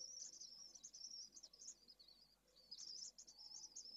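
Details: Pallid swift giving shrill, high-pitched buzzy trills in two bouts, the first about two seconds long, then a brief pause before the second, recorded 2 June 2022.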